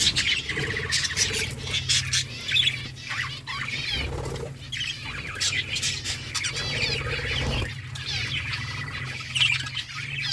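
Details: Several budgies sing in continuous rasping, twittering warbles with occasional sharper squawks, and a loud low hum sits underneath.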